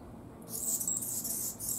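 An Anna's hummingbird gives a very high, scratchy, buzzing song that runs on without a break for over a second after a brief quiet start.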